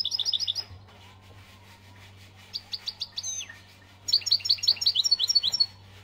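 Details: European goldfinch from Algeria giving quick trilled twitters in short bursts, one with a descending slurred note, over a low steady hum.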